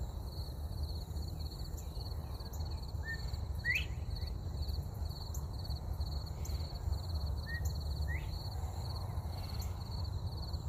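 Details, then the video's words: Northern bobwhite whistling in bushes under an oak tree in the early morning just after sunrise: two short low notes snapping up into a rising 'bob-WHITE', answered by another about 100 yards away, with a steady insect drone and low rumble. "The whisle of a Bobwhite quail."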